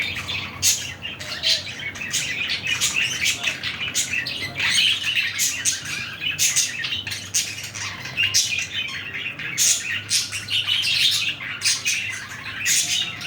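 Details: A pair of green budgerigars chatters continuously with high, rapid chirps and scratchy warbles.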